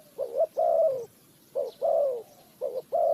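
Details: Clear close cooing of a Spotted dove from bird trapping in Ninh Thuận, Vietnam; a short rising note then a long, gently falling coo, repeated three times in quick succession.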